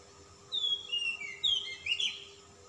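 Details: Oriental magpie-robin of the calm type, singing persistently in full voice with a rich learned repertoire. Clear high whistled phrases, some sliding and some short and sharp, come in quick bursts after half a second of quiet, over a faint steady hum.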